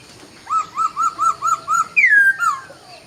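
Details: Laughingthrush singing at dawn: six loud, evenly spaced rising-and-falling whistled notes, then a long bright note sliding downward and a softer falling whistle to close.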